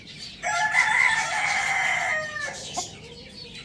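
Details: A pet rooster, kept alongside hens, chicks and budgies, crows loudly in one long, harmonic, steady crow of about one and a half seconds that drops away at the end. A short extra note follows, with thin high chirping in the background.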